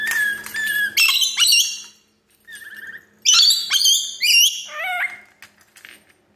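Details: Pet rainbow lorikeet flirting with its reflection in a mirror indoors: shrill, squeaky whistles and sharp screeching notes in quick bursts, some sliding down in pitch, with a brief pause midway.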